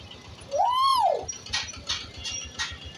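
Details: Common hill myna talking like a human: one clear whistled note that rises and falls, then a few short breathy bursts, with music in the background.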